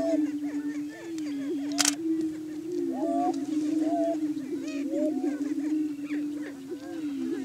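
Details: Several Greater Prairie Chickens display at dawn on a Kansas lek in Washington County, booming to establish breeding territory. A continuous deep hum is broken by scattered upslurred hoots and chattering notes, with a sharp click near two seconds.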